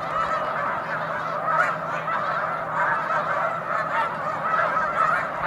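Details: Large flock of Snow Geese resting on Cayuga Lake on a March afternoon, a dense continuous chorus of overlapping nasal honking calls with no pause, many birds calling at once.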